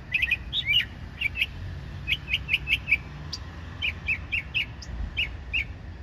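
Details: Lively singing from a small bird, short high chirps delivered in quick clusters and evenly paced bursts, some doubled, with a soft low hum beneath.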